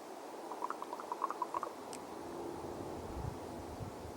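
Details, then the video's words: A common raven up in a pine tree in the mountains of Conifer, Colorado, gives a quick run of about eight hollow, liquid, knocking notes in little more than a second, then falls silent over steady background hiss. "A Raven up in a pine tree making some interesting sounds"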